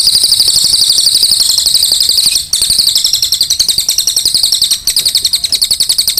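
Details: Brown cililin delivering a sustained high, shrill, rapidly pulsed chatter, around four notes per second, running almost without pause through two brief dips.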